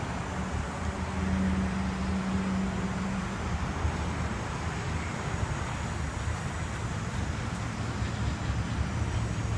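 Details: Low rumbling wind and traffic-like noise with a brief steady hum, and no animal calls.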